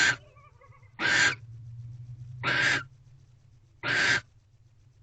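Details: At a barn owl box at night in mid-February, during mating with the female holding a rodent; breathy, noisy hissing screeches spaced about one to one and a half seconds apart over a low steady hum, with brief faint whistles early on.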